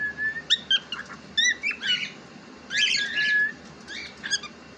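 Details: Pet cockatiel vocalising in a home: clear whistled notes and short upward-slurred chirps, then a burst of warbled, chattering sounds, and a few more squeaky whistles at the end.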